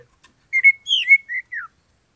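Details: Kacer, or Oriental magpie-robin, singing to provoke a rival's anger for a fight. One flowing phrase of clear whistles runs into a higher warbled note. Sustained level whistles follow, ending on a downward slur.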